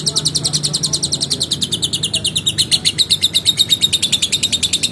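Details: Vocal lovebird delivering a long ngekek: rapid strings of shrill, metallic chirps that dip slightly in pitch, then quicken and brighten midway. The chatter continues without pause to the end.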